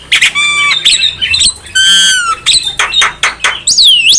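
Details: Javan myna lure song with harsh squawks, buzzy harmonic notes, a long nasal rasp and a final rising-falling whistle, over a low background hum.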